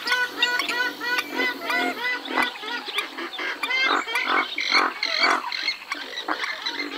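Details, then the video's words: Western swamphen with a rapid jumble of harsh, honking nasal calls, several birds overlapping throughout. "Western swamphen (Porphyrio porphyrio) Birds Best Call Sound"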